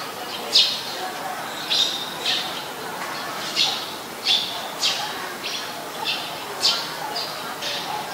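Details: Eurasian tree sparrow, a very common resident, recorded at Ubon Ratchathani, Thailand, on 10 May 2020: short harsh chirps repeated irregularly about every second over steady background hiss.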